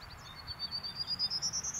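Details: A prairie warbler singing while preening at Lindsay-Parsons Biodiversity Preserve in May 2021 gives a quick string of thin, buzzy notes that climb steadily higher, about eight to ten notes per second.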